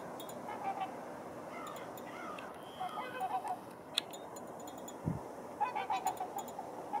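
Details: Trumpeter swans crowded at a water hole give short, nasal, horn-like honks from several birds at once, in overlapping bursts over a steady background hiss.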